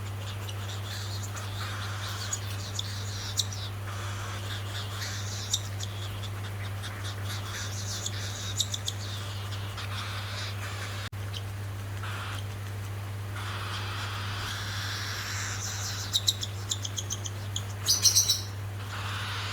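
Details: A hungry male cockatiel, hand-fed with bird formula, begs in raspy, rapidly pulsed bursts over a steady low electrical hum.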